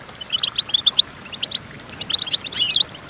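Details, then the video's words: Goldfinch song for training other goldfinches: a string of even, rapid chirps, a brief pause, then a livelier tumble of high twittering and a sharp clear whistle. "Golden Tunes The Entrancing Song of Goldfinches Birds"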